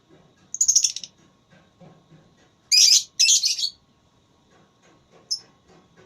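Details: Lovebird in an Indonesian singing contest (voice battle), in full active song: short bursts of high, buzzy chirps, with a longer double burst near the middle and a brief final chip, separated by quiet gaps.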